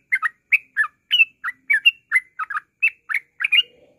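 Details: Rapid ngropel song of a yellow-vented bulbul, meant as a lure to draw out singing: lively chattering phrases of paired, slurred notes about twice per second, with no other sounds.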